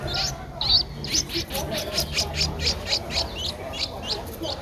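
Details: Twelve-day-old Streak-eared Bulbul chick, a very common resident of Ubon Ratchathani, Thailand, recorded 14 April 2023; steady rhythmic high-pitched cheeping notes in a continuous series, with low background hum.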